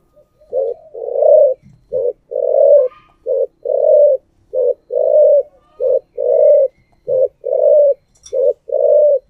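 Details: Spotted dove decoy singing the 'giọng thổ' style: a steady run of about eight paired coos, each a brief note then a longer throaty burring coo, repeated briskly with short pauses. Quiet background.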